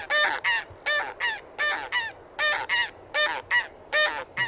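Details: Rhythmic two-note honks from a taiga bean goose, about 78 per minute, each pair harsh and nasal, over a soft steady background hiss.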